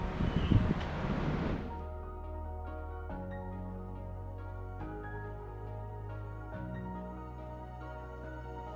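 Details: A brief burst of windy noise gives way to soft, sustained synthesizer music with low drones and gentle chord changes, with no animal calls.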